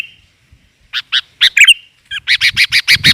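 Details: Female sooty-headed bulbul (kutilan) calling to lure males: a few spaced chirps and a slurred note, then a fast even series of about seven harsh chirps with faint low rustling.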